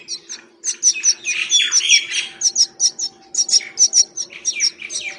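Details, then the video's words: Wild myna feeding, giving a dense run of varied sharp chirps and squeaky notes, many short high calls packed closely with brief harsher rasping phrases, continuous through the whole stretch. "Wild feeding by Myna bird and making different sounds!"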